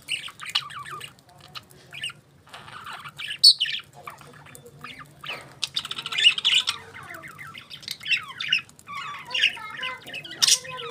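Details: Budgerigars playing chatter busily, mixing quick high chirps, scratchy squawks and warbling phrases.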